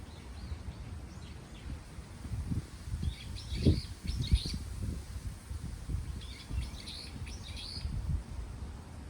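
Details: Birds twitter outdoors in Daejeon, South Korea. Two clusters of rapid, high, scratchy chirps arrive about three seconds apart, with faint calls between them. Gusty wind roars low throughout, with a couple of soft knocks.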